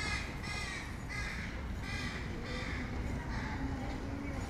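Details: Crow fledglings at feeding, giving a rapid series of raspy, harsh caws, about two per second, continuous through the clip, with steady low-pitched background rumble.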